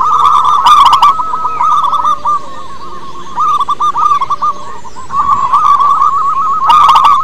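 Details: Local wild-type zebra doves, played as a lure to get other doves singing: dense overlapping runs of low, hooked cooing notes near one pitch, with brief bright bursts of chirping near the start and end.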